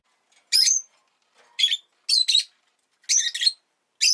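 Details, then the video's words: Pet rosy-faced lovebird kept at home where an egg has just been laid: harsh, buzzy broadband chirps in short bursts, some doubled, spaced about half a second to a second apart, with silence between. "Lovebird Chirping Sounds"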